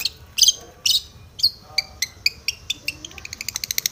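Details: Long-tailed shrike, aggressive and seeking a rival: a few loud rasping notes, then spaced shorter calls that speed up into a quick high stuttering series.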